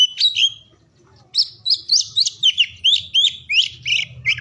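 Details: Singing oriental magpie-robin, morning to afternoon, intended to encourage silent or sluggish birds to sing: an opening whistle, a pause, then a brisk string of about a dozen clear upslurred and downslurred notes.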